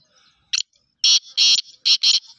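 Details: Black francolin calling: one short harsh note, then a loud grating series of four longer rasping bursts over about a second, strong and coarse in tone.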